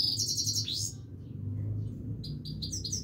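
A Himalayan goldfinch sings a bright, high, liquid twitter, a quick tumbling trill and then a run of sharp repeated notes, over a low steady hum.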